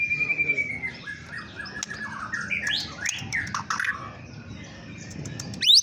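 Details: White-rumped shama song played to provoke other birds: a long whistled note sliding down, then a varied jumble of chirps and quick rising and falling notes over a low background rumble.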